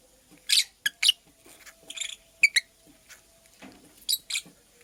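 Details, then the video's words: Purple lovebird, a female making a nest, giving short sharp high-pitched chirps in scattered bursts of one or two notes, with quiet rustling between them indoors. "Purple Lovebird Chirping Sounds - Female Lovebird Makes a Nest"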